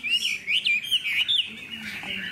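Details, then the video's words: A captive Chinese hwamei, a lively fighting bird with a fanned tail, sings loud, rich, rapidly varied whistled phrases that slide up and down in quick bursts over a faint low murmur. "Họa mi đuôi xòe, thái độ tốt, giọng hay"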